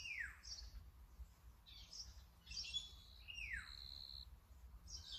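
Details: Brown-eared bulbul recorded with a Sony A7M3 camera and 200-600mm lens: two loud down-slurred squealing notes dropping steeply in pitch, between scattered high thin chirps, over a low background rumble.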